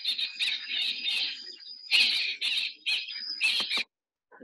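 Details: In Namibia, Hartlaub's (white-rumped) Babblers, residents at Mahangu Lodge and often heard before seen, give very loud, harsh, chattering bursts: several rasping phrases in quick succession over about four seconds, then a faint note after a pause.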